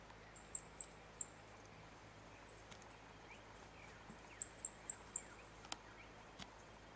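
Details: An eastern spinebill at Fitzroy Falls, Morton National Park, near Wollongong, New South Wales, on 11 May 2017 gives very high, thin piping notes in quick runs of three or four, with a pause between runs, over faint hiss.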